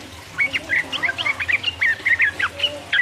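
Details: Sooty-headed bulbul giving 'ropel uplik uplik' song used to stir up rivals; after a quiet start, rapid clear whistled notes bounce up and down in a lively, unbroken string, ending with a couple of higher flourishes.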